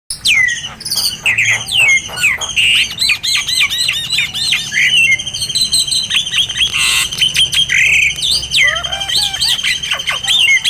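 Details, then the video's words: White-rumped shama song used for training other birds: dense, varied run of whistles, sweeping slurs and harsh squawky notes, with a sustained high whistle and a brief broadband rasp midway. "MASTERAN BURUNG KACER"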